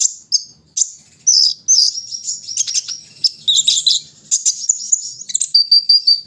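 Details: Kolibri ninja out for morning dew-bathing, giving a busy stream of high, sharp chirps and twitters, ending on a steady thin whistled note.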